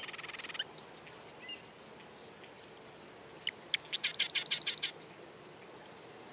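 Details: Marsh wren song heard twice, a short dense buzzy trill at the start and a longer rattle led by quick sharp notes later. Steady high pips keep up between the songs.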